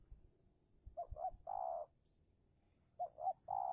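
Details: Decoy spotted dove in Indonesia, calling in a territorial contest to lure and take down a wild dove. Two phrases, each two quick short hoots followed by a long, smooth, low coo.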